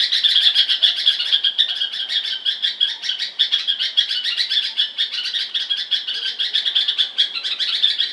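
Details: Bulbul chirping in a steady, rapid stream of high, bright notes, closely packed and overlapping for the whole stretch, with no other sounds apparent.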